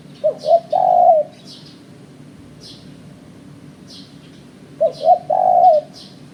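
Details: Spotted dove cooing for bird luring: two coo phrases, each two short low hoots followed by a long, drawn, slightly wavering coo, about four seconds apart; sharp high chirps from another caller tick roughly once per second throughout.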